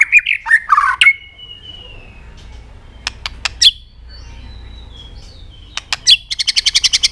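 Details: White-rumped shama singing to excite other birds: a few mellow whistled phrases, a long thin whistle, scattered sharp clicks, then a fast rattling trill of high repeated notes.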